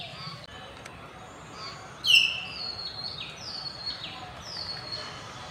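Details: Campus common hill mynas calling in afternoon light on 6 February 2024: a single loud, sharp whistled note stands out from steady background chirping and thin whistles of other birds.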